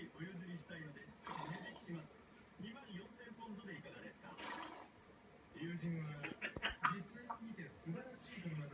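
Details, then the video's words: A pet African grey parrot imitates snoring again: low, throaty, voice-like bursts rising and falling in uneven runs, with a few sharper clicks near the end. "African grey parrot/imitation of snoring"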